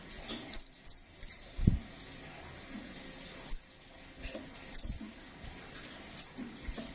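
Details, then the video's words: A crimson sunbird gives thin, high, sharply downslurred chirps: three in quick succession, then single notes about every one and a half seconds, with soft background rustling. "Burung Kolibri Sepah Raja gacor"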